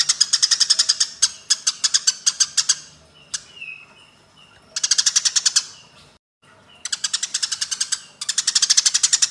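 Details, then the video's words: Long, dense volleys of grating chirps from fighting Eurasian tree sparrows, two to three seconds each, broken by a quieter stretch with a few faint whistles and a brief silence. "MASTERAN BURUNG GEREJA TARUNG"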